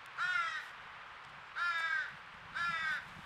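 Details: Baby crow crying at a squirrel feeder in Nova Scotia, Canada, where a noisy crow family has been all day: three drawn-out, nasal, rasping begging cries about a second apart, the rest quiet.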